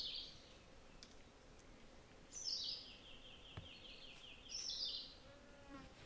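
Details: Rose-throated tanager: bright high chip-like bursts alternating with a long, evenly pulsed buzzy series, three main phrases in quick succession against soft background noise.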